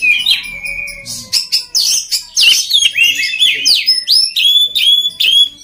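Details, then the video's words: Oriental magpie-robin song for training other birds: a sustained whistle and some low tones open, followed by loud, crisp, downward-swooping whistles repeated in a steady series. "SUARA KACER PALING DI CARI UNTUK MELATIH MENTAL KACER LAIN AGAR CEPAT GACOR"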